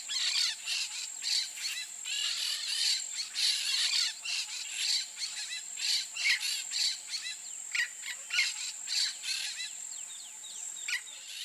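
A pair of peach-fronted parakeets gives harsh, scratchy screeches in quick irregular bursts, over a steady high insect whine.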